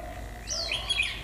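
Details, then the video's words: Japanese white-eye on a cold 11 °C day, singing 'líu' phrases in the 'họa kép' style: a brief, faint run of high twittering whistles that wavers and slides, with steady low hum behind. "chú chim khuyên HỌA KÉP nét siêu đẹp hàng líu thung ngày rét ( 11 độ C )"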